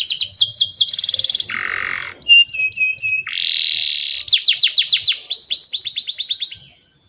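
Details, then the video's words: Canary song played as a lure to train young canaries: quick falling whistle trills, a harsh buzzy burst, short flat whistled notes, another rasping segment, then rapid downward-sweeping trills. "SUARA BURUNG KENARI PANCINGAN MASTERAN PAUD BIAR GACOR PANJANG"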